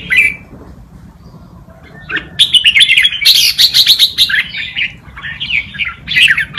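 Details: Red-whiskered bulbul tutor singing to teach young birds a forest-style song; an opening chirp, a quiet pause, then an energetic continuous stream of bubbling, rising and falling whistled notes.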